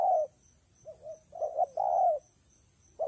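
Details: Spotted dove in rainy, windy weather gives gentle low coos, quiet paired notes building to a long steady coo, with a steady faint hiss above.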